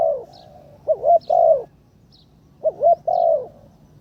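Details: Decoy spotted dove in its third training session, calling from the ground. Two hollow phrases about two seconds apart, each with a looping paired note and then a long, slightly falling coo.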